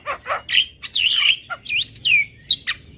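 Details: ['Javan myna, a training recording to make birds sing more: a short mix of hoarse chacks and squeaky, warbling whistles that bend up and down.']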